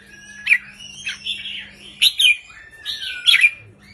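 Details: Caged red-whiskered bulbul giving short, simple counting-style song phrases meant to stir other birds: a few bright, slurred whistled notes in quick bursts about every second, with a soft steady background hum.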